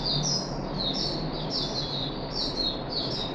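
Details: Caged puff-backed bulbul, third day of deworming, recorded 14 July 2021, giving a soft series of high slurred chirps, roughly three per second, fairly even and continuous, with a constant low hum behind.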